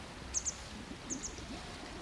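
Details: Western yellow wagtails giving their typical call while passing overhead at the Étang de Cernay, Rambouillet forest, France: thin, high, sharp notes in quick pairs, twice within two seconds, over a soft outdoor hiss.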